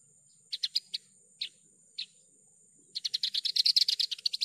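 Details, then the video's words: Javan bush lark in spirited song: a few spaced, sharp chirps, then a sustained fast trill of clipped high notes at around three per second, over a faint steady high whine. "PANCINGAN/MASTERAN JERNIH BRANJANGAN GACOR...."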